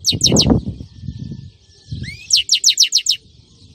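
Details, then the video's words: European goldfinch in a 2018 Friday recording: a few quick high chips, a brief rising whistle, then a rapid series of about six sharp, bright notes over low background rumbling. "تسجيل اليوم الجمعة مقنين نار نار"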